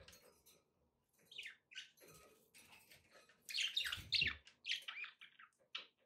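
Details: Several budgerigars kept as pets, recorded with background noise: busy, overlapping squeaks and scratchy warbled notes over a low hiss, with a louder, jumbled burst of chatter in the middle.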